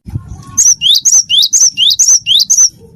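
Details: Close cinereous tit (gelatik batu wingko) in lively song for prompting other birds: a single run of about seven loud paired notes, high piercing whistle followed by a rising sweep, evenly spaced, faint low noise under.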